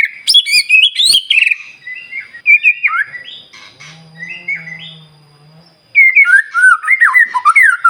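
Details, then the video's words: White-rumped shama song used to provoke shamas that have stopped singing: high, busy whistled notes, a quieter middle with a low droning hum, then a resumed run of rolling, varied whistles. "murai batu gacor SIANG MALAM GACOR TERUS, Cocok Untuk Memancing Emosi Burung Murai NGELOWO"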